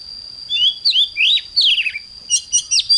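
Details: Loud morning song of an oriental magpie-robin: descending and rising whistled slurs followed by a quick cluster of sharp high twittering notes, set against a steady high-pitched tone.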